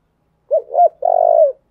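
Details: A single Spotted dove phrase used as a lure to excite decoy birds: two quick mellow coos followed by a long, loud, vibrating, slightly falling coo.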